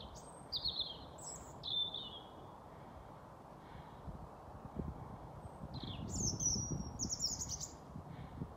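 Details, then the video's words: European robin singing its evening serenade at dusk, 21:25 on 28 April 2022, on a street corner in Haga, Sweden; high thin warbled phrases with sliding whistles and trills, two bursts separated by a pause, over low traffic rumble. "Rödhake sjunger"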